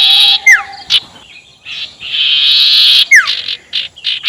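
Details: Sirtu ngekek lure for rival birds: buzzy chattering bursts punctuated by sharp downward-sliding whistles, one long harsh buzz in the middle and short clipped notes at the end.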